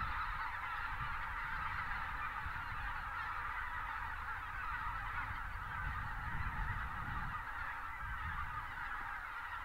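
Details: Wintering flock of thousands of Greater white-fronted geese joined by pelicans taking off, south of Uvalde in South Texas; unbroken wall of overlapping honks and yelps, low rumbling noise underneath.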